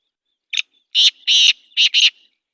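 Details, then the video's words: Black francolin calling loudly: one short harsh note, a pause, then two long rasping notes and a closing double note, the whole grating phrase lasting about one and a half seconds. "کالا تیتر کی آواز مست بولار"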